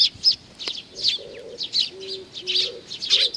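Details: Sparrows gathering to be fed at Tenmangu, Nakanoshima, on 7 June 2020 chirp in bright high bursts. Soft, low, level cooing tones run underneath.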